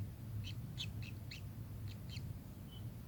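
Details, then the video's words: Kingfisher: a short series of about six sharp, high chirps spaced evenly, then a faint thin note, with a low humming rumble behind. "burung tengkek"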